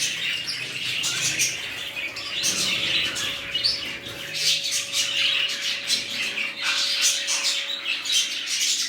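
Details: Budgerigars in a freshly started colony chattering together, a continuous stream of quick high twitters and scratchy warbles, with a faint steady hum and some low rumble behind.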